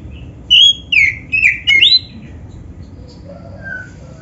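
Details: Oriental magpie-robin (black-breasted kacer) song meant to set other magpie-robins singing: four loud whistled notes in quick succession, each slurred and bending in pitch, then quiet with faint distant whistles.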